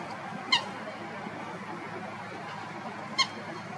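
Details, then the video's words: Common Gallinule filmed in Florida: two abrupt, clipped call notes, almost three seconds apart, with steady outdoor hiss. "Gallinule d'Amérique, cri / Common Gallinule, call"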